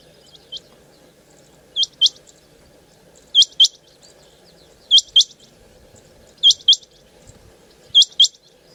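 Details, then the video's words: Female rain quail calling: sharp, high, metallic notes given in quick doubled pairs, with each pair repeated roughly every one and a half seconds over a faint low hum, otherwise quiet. "Rain Quail Calling | Chinga Batair Ki Awaz| Female Rain Quail"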